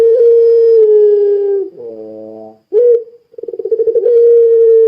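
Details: Puter pelung, a Barbary dove kept for its long calling, used as a lure so other doves call: a long level drawn-out coo, a lower nasal note, a pause, then a sharp rising note into a rapid pulsing roll and another long coo.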